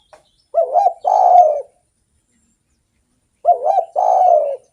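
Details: Spotted dove singing actively, its song valued as a lure for other doves: a soft, wavering low coo rolling into a longer mellow hooted note, the phrase repeated twice about three seconds apart in a quiet setting.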